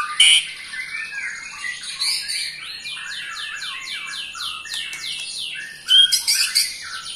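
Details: Eight-month-old white-rumped shama's ketrekan, a provoking trill aimed at other shamas: a long series of about a dozen evenly spaced, high descending sweeps forming a rattling run, then a sharp chattering burst at the end.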